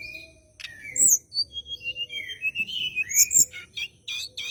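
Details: Bar-winged prinia in an aggressive, rival-seeking mood, used to set white-rumped shamas singing: scattered high whistles sliding up and down, then quick buzzy notes at a steady pace.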